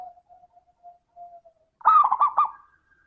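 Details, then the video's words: Zebra dove lure song in 'crystal' voice: a string of faint, even low coos followed by one loud, quickly looping phrase of rising and falling notes. "Pancingan suara burung perkutut - suara kristal"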